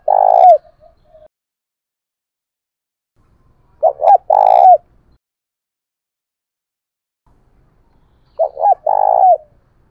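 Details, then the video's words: Spotted dove kept as a decoy, singing in the 'thổ bầu' voice style to spur rivals to fight. Three phrases about four seconds apart, each two quick low coos and a drawn-out vibrating note; otherwise quiet. "Chim Cu Mồi Thúc Đấu"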